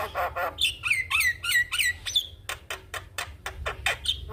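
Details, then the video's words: Javan myna singing vigorously with head-nodding, master song for young mynas: descending slurred whistles in a quick series, then a rapid run of sharp clicks and a final rising whistle. "Burung jalak Kebo Gacor manggut2 Pas Untuk Masteran dan Pancingan Jalak Muda"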